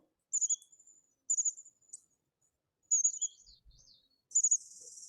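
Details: Bushtits, tiny birds usually seen in flocks and year-round residents at Bixby Marshland, give very high, thin, twittering chips in short bursts about a second apart, with a faint buzzy trill near the end, recorded in early May.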